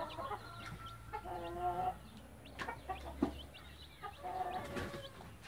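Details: Blue light mother hen with her chicks: drawn-out, tonal clucking notes in short runs, with faint high chick peeps scattered between them and a low steady hum underneath.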